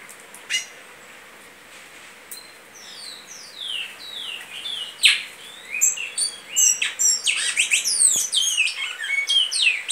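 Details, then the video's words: Goiano liso style song of a great-billed seed finch, starting with a single sharp note, then building into a run of clear descending whistled slurs that grow louder and faster toward the end. "Bicudo canto Goiano liso"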